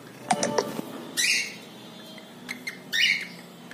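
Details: Pet male cockatiel calling while bathing, taking a dip in water indoors; a few short chirps around quick splashing bursts, with two louder harsher scratchy notes, in a small room.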